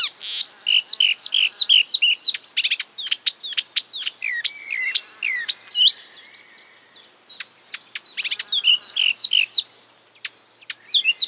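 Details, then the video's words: Mimicking marsh warbler delivering a busy medley of short quoted phrases: looping whistles, sharp ticks and brief buzzes in quick succession, with a short level whistle midway and a pause before a final burst. "A marsh warbler (Acrocephalus palustris) imitating other birds"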